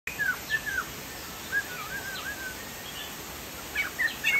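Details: Chinese hwamei singing: scattered downslurred and wavering whistles, some in quick pairs, over a constant hiss.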